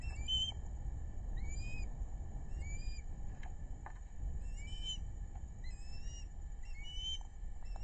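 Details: Osprey family at a nest along the Narrow (Pettaquamscutt) River, South Kingstown, Rhode Island, on 6 August 2022, adult female bringing fish to two chicks, on a live web cam: thin rising whistled chirps repeated irregularly over steady low rumble.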